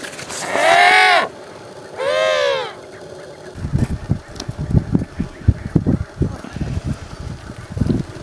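An African penguin gives two loud, harsh, nasal braying notes about a second apart, followed by low thumping and rustling noise.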